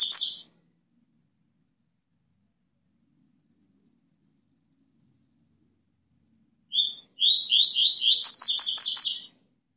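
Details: Song of a Double-collared seedeater ('cortando canto'). A phrase ends at the start, and after a long silence a short whistle leads into slurred rising whistles that break into a rapid, rasping, stacked trill lasting about two seconds.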